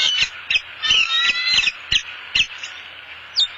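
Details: As a headless fish passes from male to female bald eagle at a southwest Florida nest, short, sharp, high chirps come irregularly, some clustered, others spaced about half a second apart.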